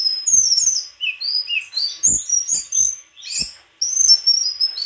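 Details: High, varied song of a White-throated flycatcher: quick whistled slurs, falling and rising, mixed with a few clicks and tapping sounds.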